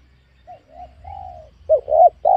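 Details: Wild spotted dove lured in a small oil palm plantation; soft faint cooing notes at first, then a louder short hoot followed by a rounded coo and the start of another.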